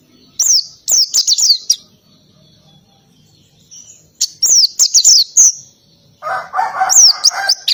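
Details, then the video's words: Noisy ngalas-style oriental white-eye song: groups of high, falling whistled notes with pauses, and near the end a lower, busier chatter from another bird under the high notes. "PLECI NGALAS,TEMBAKAN KENARI SUPER RIBUT"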